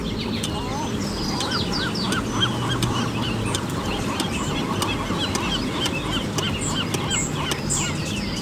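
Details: Seagulls on Mission Bay Beach, California, on the Pacific coast in the morning; a run of short, arched, nasal calls repeats steadily from several birds over low surf-like rumble.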